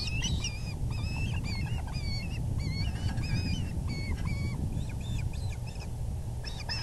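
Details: Osprey at the VGCC nest, evening of April 6, 2020 at 6:30pm EDT, as the male brings a big fish: scattered high, wavering whistled chirps, some in quick pairs, over a steady low rumble of wind or background noise.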